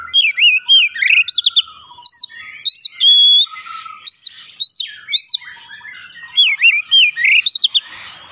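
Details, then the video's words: Oriental magpie-robin lure song for triggering another bird to sing vigorously: loud arched whistled notes, each sharply rising then falling, repeated with short gaps, interspersed with thin high squeaks and brief chattering phrases, clean background. "pancingan Kacer langsung buka paruh GACOR"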